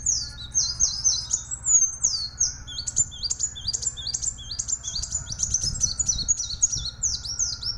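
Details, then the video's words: Plain sunbird singing strongly in a tutor recording for songbird training: dense, continuous high twittering of short, downward-swept whistled notes, delivered rapidly for the whole stretch, with a faint low hum beneath. "masteran handal Kolibri Wulung gacor"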